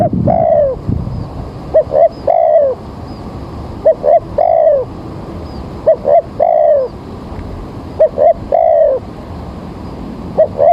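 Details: Morning spotted dove calls during bird trapping, with rain about to fall: about four repeated phrases, each two quick short coos then a drawn-out descending coo, roughly every two to three seconds, against faint hiss.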